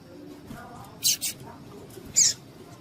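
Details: Short burst from a female double-collared seedeater, whose call is used to excite males: a doubled high chip followed by a single louder chip a second later.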